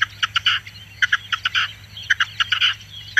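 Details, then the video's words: A Red-legged Partridge sings with harsh, chuffing chuck notes in quick rhythmic clusters, repeated several times within three seconds, over a faint low hum. "perdiz Roja cantando"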